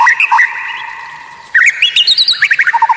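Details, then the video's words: Caged white-rumped shama used to tutor other songbirds: short jerky whistles, a long steady pause, then quick high chattering notes ending in a rapid run of low repeated chips. "Masteran murai batu Suara Aneh unik langka"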